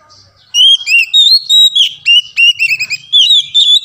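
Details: Kacer (Oriental magpie-robin) song used to stir a bird that will not sing: strong, fast whistled notes, swooping up and down, delivered in tight bursts about every quarter second, with a faint low rumble behind.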